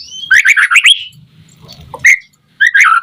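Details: White-rumped shama song used to provoke other shamas into singing: loud bursts of rapid, varied whistled and chattering notes, a pause with a low hum, then one sharp note and another bright, tumbling phrase.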